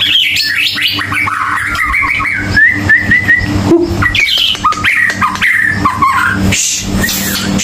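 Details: White-rumped shama song used as a lure to get silent birds singing again: a dense run of varied whistled and chattering phrases, with a steady hum and busy background noise.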